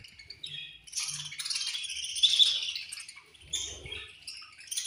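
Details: Colony of budgerigars at food time giving a steady wash of bright, squeaky chirps and chattering warbles, with occasional soft thuds.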